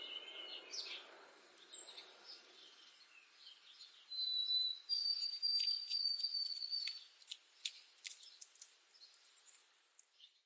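White-throated sparrow singing pure, thin whistles: a brief lower note, then a higher note held steady for about two seconds. Soft ticks and faint background noise surround it.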